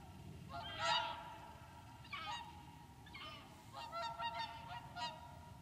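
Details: Whooper swans at Lac du Der reserve, France, late January 2014, calling with nasal trumpeting honks, several overlapping birds in uneven bursts against a low constant hum.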